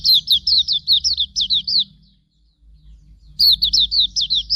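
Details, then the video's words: Master song of Hume's white-eye for training cage birds: quick high twittering notes, each a sharp slurred chirp, about a dozen in two seconds, then a pause and another brisk burst of the same chirps; soft low hum behind. "Masteran Suara Burung Pleci Auriventer"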